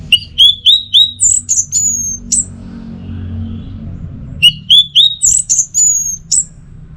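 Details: Orange-headed thrush song in two matching phrases: a fast string of short rising whistles, then higher drawn-out slurs. A quiet break of about two seconds separates the phrases.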